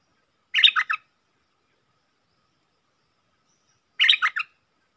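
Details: Wild red-whiskered bulbul challenging a caged decoy: two brief bursts of bubbly, tumbling notes, each about half a second, spaced roughly three and a half seconds apart with silence between.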